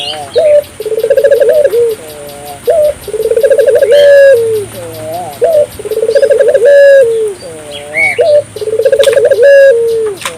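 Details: African collared dove in full voice, meant to prompt local doves to call back: a repeated sequence of low rolling trilled coos and drawn-out falling notes, about every three seconds, over soft chirping of other birds.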